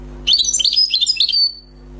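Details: Newly caught wild European goldfinch produces a brisk one-second burst of sharp, liquid twitters and chirps that trails off into a thin fading whistle; low hum throughout.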